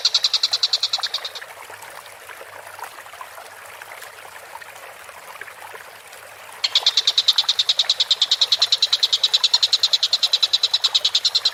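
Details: Collared kingfisher calling vigorously for training cage birds: a rapid burst of harsh notes stops after about a second and a half, leaving several seconds of faint background noise, then a long fast chattering series starts again.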